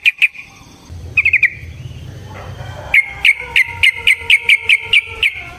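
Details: Yellow-vented bulbul, fighting song used as a lure to provoke rivals: clipped bright chirps, first in small clusters, then a steady series of single notes repeated about every third of a second, with a faint low hum beneath.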